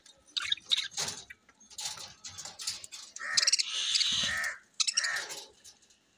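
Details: Rainbow-coloured budgerigars, a selectively bred colour form, recorded October 9, 2023: a dense run of harsh, buzzy chattering notes in short bursts, building to a longer, louder scratchy warble near the middle before breaking into quick chirps again.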